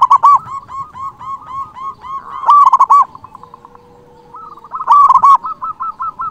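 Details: Local zebra dove singing loudly to call rivals, used as a lure and to rouse quiet birds: long runs of quick, rhythmic, ringing coos, louder bursts every few seconds, and a faint steady tone beneath.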